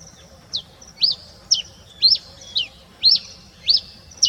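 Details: Before dawn, a red pileated finch gives a steady run of thin, high, sharply falling notes, about two per second, against a quiet background.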